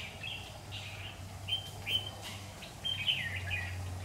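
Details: Red-whiskered bulbul (Má lỡ) singing competitively as a trapping lure, 16/9/2019. Short, sharp whistled chirps and slurred phrases come in scattered bursts against a constant low droning background.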